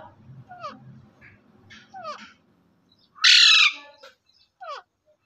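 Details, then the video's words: A ringneck parakeet gives short downward-slurred chirps, then one loud, harsh, grating screech lasting about half a second, with a low murmur in the background. "Ringneck Beautifull Parrot"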